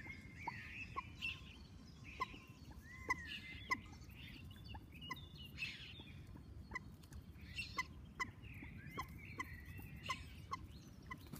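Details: Common moorhen chicks giving short, sharp peeps repeated irregularly about every half second, against other birds chirping and warbling higher up and a steady low rumble of background noise.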